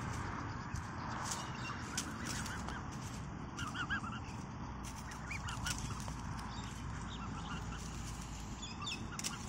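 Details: A black swan family in Canberra, Australia, the mother and two hungry juveniles, eating green peas, gives soft, short honking notes in loose bursts every second or so, over steady low rumbling background noise.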